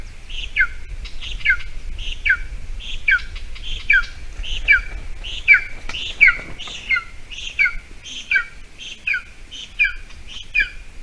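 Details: Golden eagle nest cam in Latvia on a June 2020 morning, the female having brought a small mouse for the young bird's breakfast; a long run of piercing, falling notes repeats quickly, some pairs close together, over low rumble.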